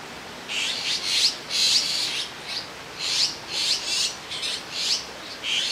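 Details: Grown azure-winged magpie chicks out of a cramped nest, lined up on a branch in Jirisan National Park, Korea, waiting to be fed by a parent; a rapid, near-continuous run of harsh, scratchy, rasping calls, several overlapping.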